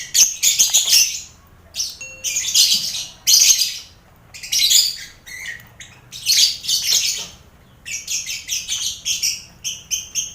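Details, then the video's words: Lovebirds in a crowded colony cage shared with finches and quail, played for mental training of contest birds: loud harsh, buzzy chattering bursts in high pitch, about a second each, separated by short pauses, with faint low hum beneath. "Sound Koloni Lovebird"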